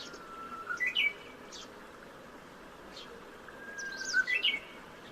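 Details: Japanese bush warbler singing in spring, recorded by smartphone from a home window: two hoo-hokekyo phrases about three seconds apart, each a long steady low whistle that jumps into a brief, higher, rising flourish, over faint background hiss.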